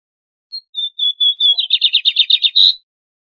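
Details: Lined seedeater delivering a loud, crisp phrase of a short piping note and three long even whistles followed by a rapid buzzy trill and a strong final burst, recorded without background noise.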